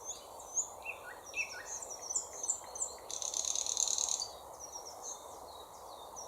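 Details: Thrush nightingale singing: a dense, buzzy rattle held for over a second, framed by short high whistled notes, with a busy chorus of thin, high twitters from other birds throughout.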